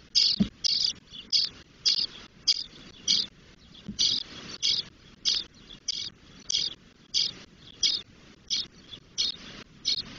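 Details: Ten-day-old spotless starling chicks beg in the nest with harsh, hissing rasps in quick bursts as the female brings food. They were recorded in a nest at the Doñana marshes, Spain.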